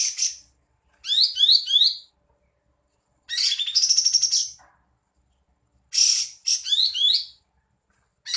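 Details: Cream-vented bulbul, singing eagerly and opening its tail in a fan, delivers repeated high chattering phrases. Quick downward-sweeping slurred notes alternate with a buzzy rapid trill, with about one to two seconds of silence between bursts.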